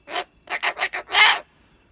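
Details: A pet cockatoo talking: a series of five raspy, voice-like syllables, four short ones then a longer, louder final burst, with a person speaking to it before and after.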